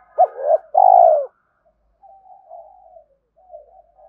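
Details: Spotted dove coo used to excite decoy birds and train them: two loud low hooted notes, the second longer and drawn out, followed by softer wavering trailing coos.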